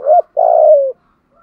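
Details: Spotted dove decoy with a 'giọng thổ' voice, calling to lure wild doves: a short rising coo and a long coo gliding gently downward, then silence.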